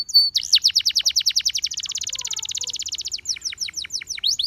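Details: Canary tempting other canaries to sing: a long, rapid trill of repeated high notes that speeds into a dense buzzy roll, then slows back into separate falling whistles.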